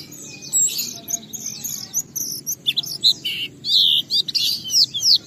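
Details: Oriental white-eye singing energetically in ngalas style, a lure meant to provoke other white-eyes into open-beaked singing and full repertoire: bursts of high, thin chirps and rapid twittering phrases with short pauses between them.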